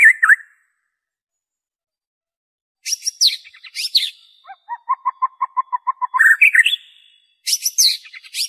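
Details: White-rumped shama song meant to prompt captive birds to sing: sharp high phrases, then a regular run of repeated paired whistled notes, ending in loud rising flourishes and high chirps.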